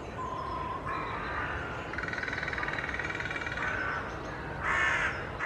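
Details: Carrion crows displaying together in Children's Wood, Hull, with much posturing; a varied mix of a thin tonal note, a long rapid rattle and separate harsh caws near the end, overlapping from several birds.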